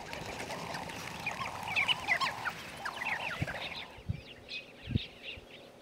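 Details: Namaqua sandgrouse flock in sand-dune country. Busy overlapping gurgling calls at first, then wings flapping as birds take off. The chatter thins into scattered notes with a few soft low thuds.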